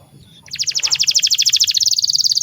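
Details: Canary (kenari) master song used to train young birds: after a faint start, a fast, even trill of bright high notes about twelve per second, rolling steadily to the end.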